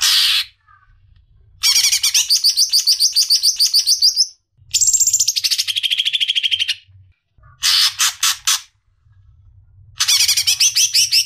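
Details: Female greater green leafbird calling the male: dense bursts of rapid, high, buzzy rattling notes lasting one to two seconds each, separated by brief pauses, over a faint low hum.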